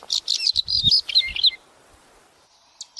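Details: Bird calls played for pupils learning animal sounds: a burst of rapid, high, scratchy chirps lasting over a second, followed by near silence and two faint, short chirps at the end.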